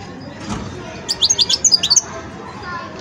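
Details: Young European goldfinch still learning to sing, producing one quick burst of about eight high, tinkling twitter notes, preceded and followed by quiet background hiss.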